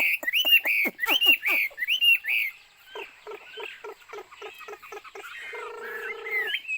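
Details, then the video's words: Chinese hwamei giving a series of clear rising whistles in quick succession, then a quieter passage of repeated lower notes and a steady humming background tone. "burung hwamei/wambi Joss suaranya"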